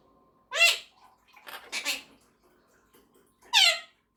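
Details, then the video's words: Monk parakeet kept as a pet, talking and singing with its owner: two nasal, bending voice-like notes framing a softer, muffled chattering phrase, with quiet room sounds between. "Quaker Parrot is talking and singing with me | Monk Parakeet Talking and Singing"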